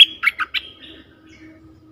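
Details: Bulbul call played to lure fierce wild birds: a bright opening note, then three quick chirpy bursts and a flat, fading whistle, all within about one second, followed by quiet background hum.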